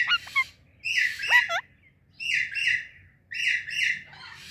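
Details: An Indian ringneck and an alexandrine parrot kept as a pair, chirping loudly in the morning. The clip has a few short whistled notes, then grating, raspy squawks in paired bursts that come roughly every second, with quiet gaps between.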